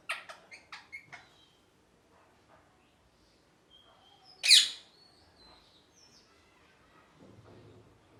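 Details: Parrot chirping: a quick run of sharp clicking chirps, then quiet, a single loud harsh screech, and a few thin high whistled notes trailing after.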